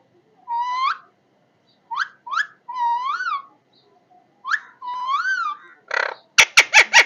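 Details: Parrot calling: clear whistled notes with rising and arched shapes, some long and wavering, given in loose bursts, ending in a quick run of harsh buzzy squawks.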